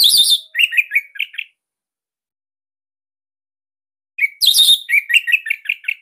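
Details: Orange-headed thrush from Bali singing a loud, tight song for training captive birds: a harsh burst then a string of short whistled notes, a long pause, and a similar phrase repeated.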